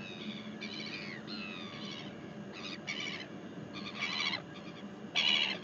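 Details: Northern royal albatross in New Zealand, recorded 12 February 2021: a run of harsh, harmonic-rich calls, some drawn out with falling slurs, others short clipped bursts, the loudest near the end, over a steady low rumble.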